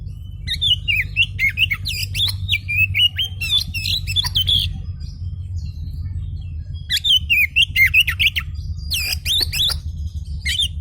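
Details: An emotional, agitated oriental magpie-robin sings two bursts of warbled whistles, wavering up and down and mixed with clicks, separated by a quiet gap of about two seconds, while a low hum continues underneath.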